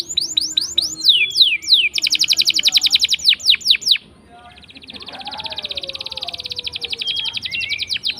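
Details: Lure song of a canary meant to set silent canaries singing: sharp falling whistles, a rapid rattling trill and sweeping notes, then after a short gap a long smooth rolling trill with faint lower sounds.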